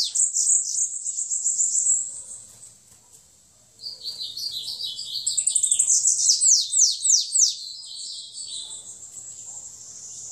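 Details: Bananaquit (sibite, 'rabo torno') singing the song style called 'belga': very high, thin, buzzy trills and rapid sweeping notes, a bright burst, a pause near three seconds, then a longer series of fast looping chirps.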